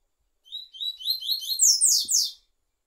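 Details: Double-collared seedeater singing a fast series of high buzzy, descending trilled notes that speed up and grow louder, lasting about two seconds, with faint low clicks near the end.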